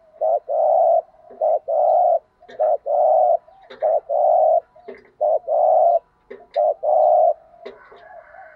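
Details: Spotted dove cooing in the 'thúc gù' urging style with the native field-dove voice. A regular run of short notes alternates with longer level coos, about one phrase per second, followed by faint chirps near the end.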